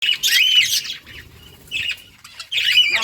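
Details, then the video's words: Budgerigars in a breeding colony kept in a cage, giving harsh, squawky chirps with arched, buzzy notes in bursts at the start and end, separated by a quieter gap with faint chatter. "Budgies breeding progress and chirping sounds"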